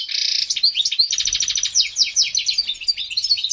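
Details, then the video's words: Excited European goldfinch song aimed at prompting breeding: an opening buzzy rattle, then a fast series of pulsed descending trill notes and tinkling twitters. "هيجان حسون في قمة الجهوزية لتحفيز على تلقيح وتجهيز إنات الحسون لتزاوج"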